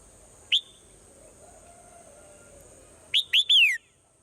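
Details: In the morning a swallow gives one isolated rising chip, then after a pause a full phrase of two short upslurred notes and a longer falling whistle; quiet background otherwise.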